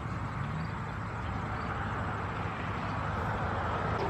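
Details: Dense, broad roar of road traffic and engines continues throughout, without any distinct animal calls.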